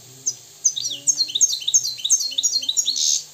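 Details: Moroccan European goldfinch singing a steady series of sweet descending two-part twitters, repeated about three times a second, ending in a brief buzzy flourish.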